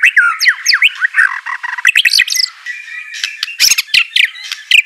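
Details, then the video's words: White-rumped shama singing to train a reluctant bird: rapid swooping whistles and harsh squawky notes packed closely, followed by sharp chips over a steady tone. "Gak Perlu Lama Murai Batu Malas BUNYI Pasti LANGSUNG NYAUT NARUNG dan GACOR"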